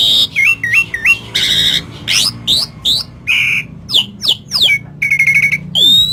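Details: Javan pied starling in vigorous song, loaded with lovebird mimicry: loud, varied bursts of looping whistles, upward and downward sweeping notes, buzzy harsh chirps and short trilled rattles, delivered in quick succession with brief gaps.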